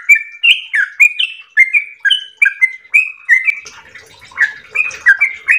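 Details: Yellow-vented bulbul giving a long, melodious 'ropel' song in full voice: lively whistled phrases in fast succession, with a faint rustling noise underneath in the second half.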